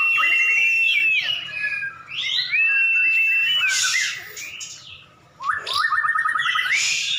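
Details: White-rumped shamas in a duel between two caged champion birds: loud bursts of varied whistles and harsh, noisy notes, a short pause, then a fast run of repeated rising chips.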